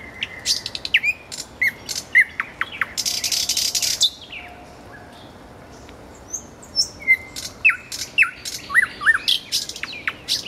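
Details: Common nightingale (Luscinia megarhynchos) singing by a road: varied high phrases of sharp whistles, clicks and a dry buzzy rattle, then a pause before resuming with quick rising whistled notes.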